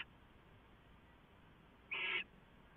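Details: Owl receiving leftovers at dawn, 6:04 AM, 15 March 2014, on a live camera feed; one short, harsh, breathy screech lasting about a third of a second amid a low steady hiss.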